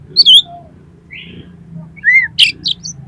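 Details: Oriental magpie-robin (kacer) song played as a lure to set other kacer singing and spreading their tails: a few separate clear whistles, one sliding upward, a short buzzy note and brief sharp chips, over a low hum.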